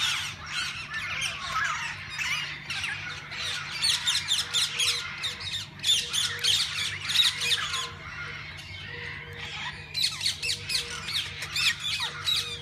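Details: Walk-in aviary at a parrot zoo holding various parakeets that people feed and handle. A crowded chorus of raspy squawks and chirps surges in waves and briefly thins around eight seconds. Short mechanical beeps and low hum run underneath.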